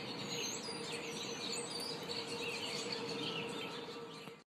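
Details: Afternoon yard chorus of birds, with rapid high twittering and short whistled notes layered over constant background noise and a steady low hum, ending abruptly.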